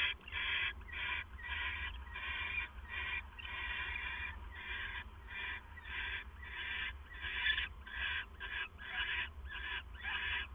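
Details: Owl at night, 2:32 AM on 25 September 2015, as the male brings food to his mate: harsh, raspy screeching bursts repeated rapidly, nearly two per second, over a steady low hum.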